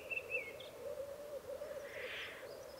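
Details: Low, even bubbling from black grouse at an Alpine lek in Piedmont, Italy, with a soft breathy hiss late on and thin whistles near the start.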